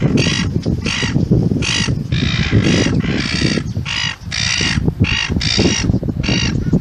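Gulls give harsh, squawking calls in quick bursts, about ten in seven seconds, over a steady low rumble of wind or surf.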